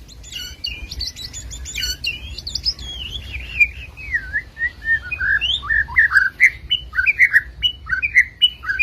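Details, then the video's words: White-rumped shama from Medan singing a varied, fast song of whistled and rising-falling phrases around the mid-high range, with sharp chirps early on and over a low background hum. "Burung murai batu medan"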